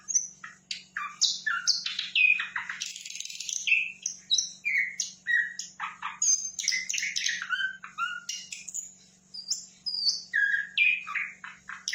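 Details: Energetic song of a sikatan londo flycatcher, a long, busy stream of sharp chirps, rasping bursts and brief whistles that jump between pitches with hardly a pause, a quiet low electrical hum beneath.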